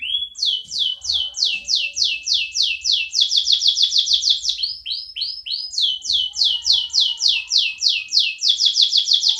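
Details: Caged canary repeating a loud, rhythmic run of sweeping descending notes, about four per second, with a brief change of phrase midway before resuming.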